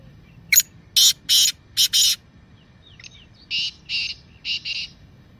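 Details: Black francolin 'masti' calling voice, played to make captive francolins call: a loud harsh five-note phrase, then after a pause a softer, similar four-note phrase.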